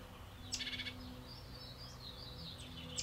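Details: Juniper Titmouse fledgling about to leave its nest box, calling for encouragement while its parents call nearby, gives a quick burst of harsh, rapid chattering notes, then thin high calls drift over a low background hum.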